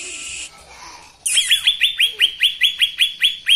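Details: Songbird on a master recording for training cage birds: a brief harsh buzz, a pause, then a series of bright, sharply downslurred whistled notes repeated about two and a half times per second.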